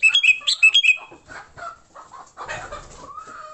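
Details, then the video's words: Sooty-headed bulbul fighting song for luring bulbuls: rapid series of sharp, bubbly chirps in the first second, followed by softer mixed calls and a noisy scuffling burst. "Suara Burung Kutilang Gacor TARUNG Tanpa isian, Ampuh untuk pikat Kutilang jadikan Kutilang ribut."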